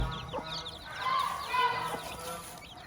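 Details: Farm hen with her chicks: a few soft, nasal harmonic clucks mixed with a steady stream of thin, high downward-slurred peeps from the chicks.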